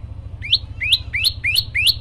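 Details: Variant song of an olive-backed tailorbird singing vigorously: five up-sweeping notes, each rising sharply and levelling into a brief high whistle, evenly spaced over a low background hum.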